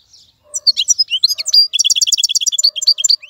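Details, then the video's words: Caged wild-caught European goldfinch delivering fast, high, liquid twittering song, a quick run of varied chirps followed by a rhythmic rattle of repeated bright notes, with no other sounds. "مقنين خلوي يغرد بصوته النظيف, تغريد حسون بري دون توقف"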